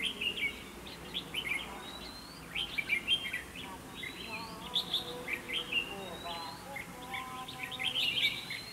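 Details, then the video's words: Red-whiskered bulbul song used as a trap decoy to draw rivals into a fight: dense, sweet chattering phrases throughout, plus fainter, lower stacked whistles from another bird in the background. "Bẫy đấu chim chào mào"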